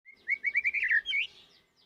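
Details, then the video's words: Young white-rumped shama singing to provoke other birds, especially other shamas, into song: a quick run of about eight bright, upslurred whistled notes packed into one second, ending in a slightly rougher rising phrase. "Murai Batu Muda memancing burung lain berkicau"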